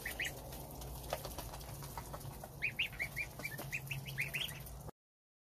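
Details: Goslings of a domestic goose feed on starter ration with the mother nearby while the father stands guard outside. Short, high, slightly rising peeps come in rapid runs, about a dozen over several seconds, against a low background rumble.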